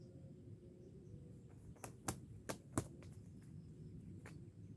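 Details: A few sharp broadband clicks and knocks stand out over a quiet low-pitched background hum. No animal is heard.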